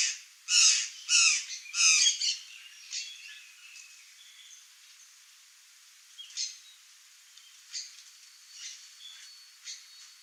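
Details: Curl-crested jay in the wild, Brazil: three loud harsh squawks in the first two seconds, followed by faint distant calls and short chirps over quiet background.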